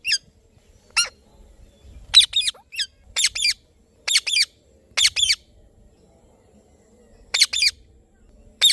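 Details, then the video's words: Indian ringneck parrot squawking in harsh, high, broadband calls, often doubled, repeated irregularly about once a second with short silent gaps. "Parrot Chirping Sounds / Voice"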